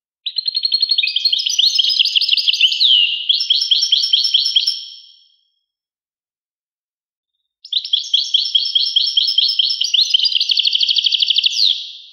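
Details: Two long phrases of European goldfinch song separated by a few seconds of silence, each a rapid, bright twittering trill of repeated high notes with occasional swooping slurs.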